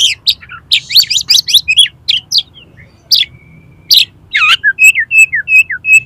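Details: Oriental magpie-robin 'konslet' song meant to provoke another magpie-robin into opening its tail: a fast tumble of looping, varied whistles, a drawn-out level whistle, then a regular series of short clipped notes about four per second.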